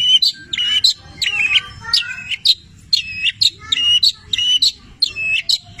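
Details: Energetic Long-tailed shrike song (cendet) rich in imitated labet and canary notes: loud, high, down-slurred whistled chirps repeated roughly twice a second with short buzzy edges, dominant throughout.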